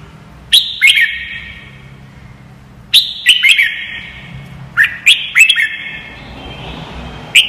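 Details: Red-whiskered bulbul singing, used as a training track to help young birds learn song quickly: bright chirpy phrases of quick rising and falling notes, delivered in bursts separated by short pauses, with a faint low hum behind.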